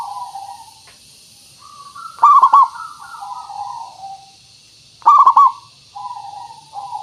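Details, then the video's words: Zebra dove lure song for attracting wild doves to a trap: soft, rolling coos broken by quick stuttering trills, in phrases about three seconds apart, over a steady high hiss of insects. "Suara Pancingan Burung Perkutut Pikat"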